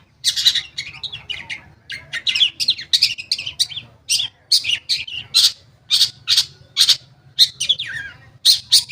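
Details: Lure song of a long-tailed shrike, meant to set silent shrikes singing: a dense, rapid stream of scratchy, high chips and trills that rarely pauses, each burst loud and abrupt.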